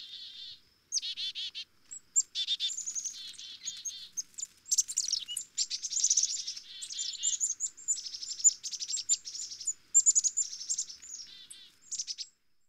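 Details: Black-capped chickadees in a long bout of high chips and scratchy buzzy notes, given in clustered bursts with short gaps, the thin high notes especially prominent in the second half.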